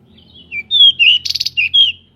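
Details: Pied bushchat of a local strain, wings spread while singing, used to goad other bushchats into fast, aggressive song; a dense phrase of high slurred whistles broken mid-way by a quick buzzy rattle.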